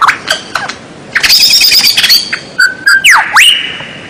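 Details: White-rumped shama song for training caged birds, with strange sounds: rapid scratchy notes, a sustained high buzzy trill, a steady mid-pitched whistle, then steep falling and rising whistled slurs.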